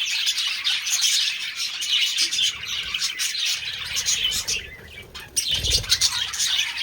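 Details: Mating budgerigars chatter in thick, overlapping squeaky warbles. They pause briefly near the end, then a low thump is heard and the bright chirping resumes.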